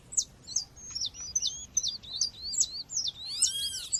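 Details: Female double-collared seedeater calling against a natural backdrop, used to excite males. She gives a steady series of short, very high, sharply slurred chips, about two or three per second. A harmonic, arching call from another source breaks in near the end.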